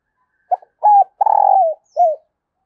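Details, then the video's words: Decoy spotted dove cooing early in the morning to lure wild doves: one phrase of four low hooting notes, a short hoot, a level coo, a long burry trilled coo and a final falling note, in a quiet setting. "Chim Cu Mồi Gáy Gọi Bổi Sáng Sớm"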